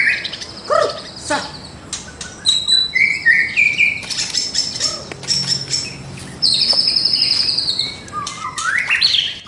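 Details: White-rumped shama in loud, varied song full of mimicked fills, used for training birds in the morning; clicking chatter, whistled slurs, a sustained high buzzy trill and rising sweeping notes in quick sequence.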